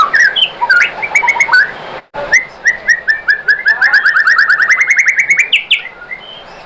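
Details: White-rumped shama song used to provoke other shamas into singing: mixed whistled notes and chips, then a rapid, accelerating string of repeated short whistles climbing slightly in pitch.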